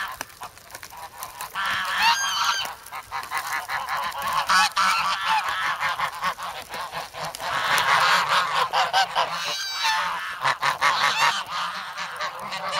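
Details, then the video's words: Young geese, grown from goslings, noisy and hungry in the snow at Sloterpark, Amsterdam, on February 3, crowding for bread and pecking; loud harsh honks and nasal calls overlap in a dense, continuous chorus, recorded on a Sanyo SH1 camera. "Geese in the Snow"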